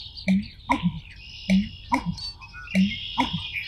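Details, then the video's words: American Bittern, a shy, well-camouflaged bird, giving deep, gulping pump-er-lunk booms like someone swallowing a drum, three repeated phrases about one second apart, over high chirping birds and insects. "American Bittern with very unique call"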